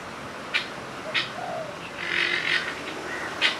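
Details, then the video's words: A turkey gives short, sharp high chirps spaced about a second apart, with a brief run of softer mid-pitched notes in between. "Turkey is chirping"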